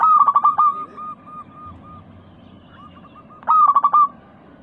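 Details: Local Indonesian zebra dove singing steadily in a clear 'crystal' voice, used as a lure for pet doves: a loud burst of rapid pulsed coos, then a long run of softer, evenly spaced coos, with a second loud burst near the end.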